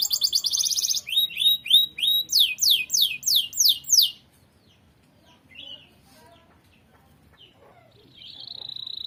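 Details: Canary song meant as a training model for other birds: a quick trill, then loud slurred notes about twice a second, a few seconds of near quiet with faint chips, and a steady trill resuming.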